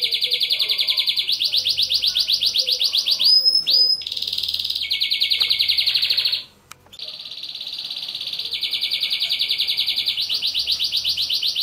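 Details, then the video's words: Canary song used as training and to stimulate females for mating: long rapid trills of repeated notes in several sections, switching speed and pitch, with short whistles and a brief pause midway. "اقوى تغريد كناري للتسميع و تهييج الاناث للتزاوج حصريا canary singing training"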